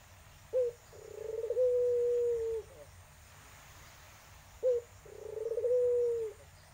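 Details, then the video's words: Tangerine-coloured Barbary dove cooing as a lure to get a silent dove calling: two matching phrases about four seconds apart, each a short abrupt note then a long, low, rolling coo lasting over a second, against a quiet background hum. "Burung puter irak/tangerine suara merdu cocok untuk pancingan puter macet"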